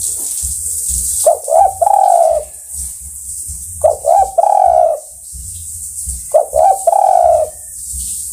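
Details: Tekukur, or spotted dove, calling companions with a repeated cooing phrase: short clipped notes leading into a longer falling coo, heard three times at regular intervals over a constant background hiss.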